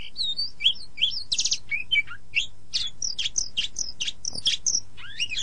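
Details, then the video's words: Magpie-robin song for training caged birds in morning or evening: rich, rapid mix of looping whistles, short chirps and a brief buzzy rattle, steady and loud throughout. "Masteran Terbaik Kacer"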